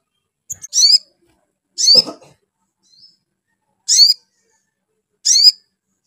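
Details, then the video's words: High, harsh spiderhunter notes played to excite a bird into song, given singly about every one to two seconds, one accompanied by a lower rasping sound. "SUARA MENAIKAN EMOSI SOGON BIKIN SOGON LANGSUNG NYAUT GACOR"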